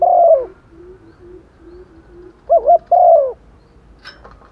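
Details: Female spotted dove calling to males in the rainy season: low, hoarse coos, a strong opening note, soft quieter coos, then a loud doubled coo followed by a long falling one.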